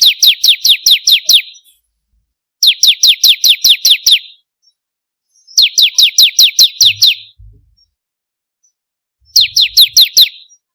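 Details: Bar-winged prinia song for training kept birds to sing: four separate bursts of six to eight clipped, high falling notes delivered quickly, with gaps of about a second and faint low thumps.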